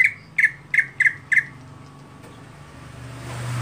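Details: Greater green leafbird, a contest bird with a monotonous everyday voice, gives five short harsh squawky notes over about a second and a half, then falls quiet with a faint low hum behind.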